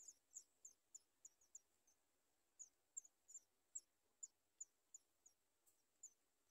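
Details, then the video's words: Begging calls of sooty chat chicks wanting food at the nest: thin, high squeaks given singly or in pairs, spaced irregularly with short pauses between them. "Sooty chat trying birds Watch baby food for food"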